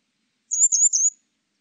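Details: Grey wagtail in a 2020 recording from a national biological resources institute, uttering three linked, high, thin whistled chirps that run almost together, sharp and slightly trilled, with a quiet background.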